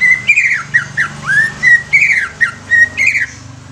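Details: Young greater green leafbird used as a lure to stimulate other leafbirds, singing a run of clear whistled notes around mid pitch, some flat, some swooping down, others rising, in quick phrases with short pauses.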